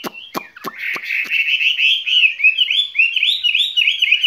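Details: A few sharp clicking taps open the recording, then a caged skylark breaks into a rapid, bubbling high warble that grows louder and keeps rolling to the end.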